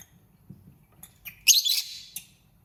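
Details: Single lovebird outburst: a few faint ticks, then about half a second of shrill, scratchy high chatter and one final short squeak, in an otherwise quiet setting.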